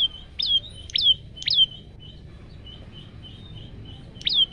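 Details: Male olive-backed tailorbird, phone-recorded as a training track for other tailorbirds: sharp, high notes sliding downward, three in quick succession, then a pause of soft notes before one more.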